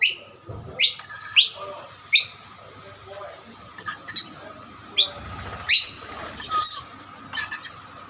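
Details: Rainbow lorikeets squabbling over snack plates as a dominant male chases rivals from the food; loud, rasping screeches in irregular clusters, some drawn out and shrill, with occasional flutter of wings.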